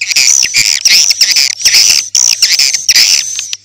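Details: Edible-nest swiftlet calls used as a swiftlet-house lure, morning to night: loud grating squawky chirps in quick clusters beneath a steady piercing high whine.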